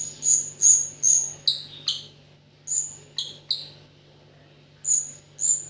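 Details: Sparse song from a white-rumped shama whose filler is called 'AK47': a few high clear whistles, then lower downward-slurred notes, long pauses between short groups, and two final high whistles.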